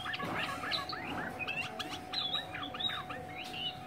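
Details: Chinese hwamei in Hanoi delivering a fast string of slurred, rising and falling whistled notes with short buzzy flourishes, over a constant low hum and light background noise.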